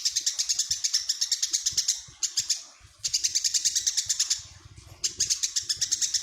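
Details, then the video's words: A tame, very vocal Eurasian tree sparrow that sings by day and night delivers rapid strings of sharp, high-pitched chirps, each run lasting around two seconds, broken by brief gaps, with soft low knocking in the background. "Burung greja jinak dan gacor"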